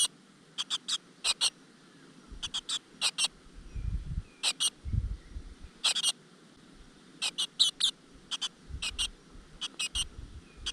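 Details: Great tit chicks in a rock-crevice nest as the mother brings them insects. Shrill, clipped calls come in bursts of two or three, with soft low thumps and rustling between them.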